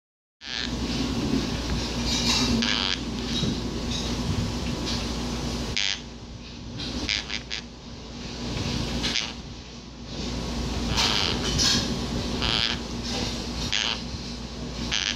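A monk parakeet chatters to itself in mumbled, speech-like phrases broken by sharp squawks.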